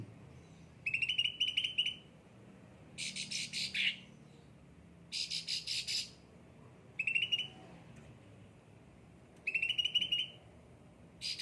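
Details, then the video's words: Caged cucak ranting singing steadily: thin ringing trills alternate with harsh buzzy bursts, one phrase roughly every two seconds. "gacor cucak ranting"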